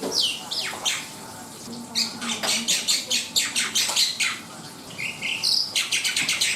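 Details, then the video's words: Lively Black-winged myna song mixing sharp falling whistles, squawky notes and bursts of rapid grating chatter, with brief pauses between phrases and a low constant hum underneath. "SUARA ASLI BURUNG JALAK PUTIH NUSA GACOR DOR!"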